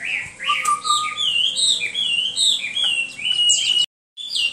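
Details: Flowing Hwamei song of melodious, wavering whistles, some long and level, others looping up and down, interrupted briefly by a moment of silence before the singing resumes.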